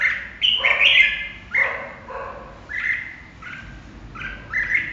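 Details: Red-whiskered bulbul delivering loud, cheerful warbled phrases, an opening burst of stacked whistles followed by shorter paired notes at steady intervals, ending with a bright upslurred phrase.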